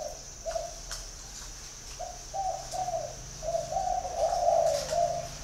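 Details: Spotted dove cooing at a dove garden in Vân Hòa, Ba Vì, Hanoi, Vietnam. Soft low coos come first singly and then build into a longer, louder run of hollow notes. A faint low drone and a high whine accompany it.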